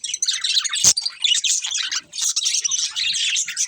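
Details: Breeding pair of budgerigars chirping: quick twittering notes and squeaks in short bursts, one sharp click near the start, a brief pause around two seconds before chatter resumes.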